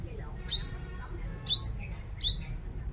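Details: Sunbird used as a lure bird, singing strongly in Long Thành, Đồng Nai, Vietnam: three loud, high, upslurred notes, each trailing into a level whistle, delivered about one second apart.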